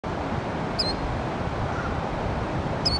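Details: Killdeer on a trail giving two brief, shrill, high beeping notes about two seconds apart, over steady roaring wind.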